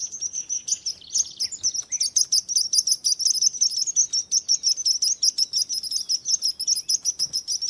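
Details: Busy high chirping from small birds, quick bright tweets in an almost continuous chatter, with a brief buzzy trill near the start and a few sliding whistles mixed in.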